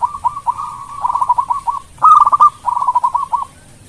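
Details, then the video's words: Local Zebra dove singing melodiously to spur rivals to respond: dense rolling trills of soft cooing notes, three quick phrases in close succession, the middle one loudest, over low background hiss. "Perkutut Lokal Gacor Suara Merdu Bikin lawan cepat nyaut Bunyi"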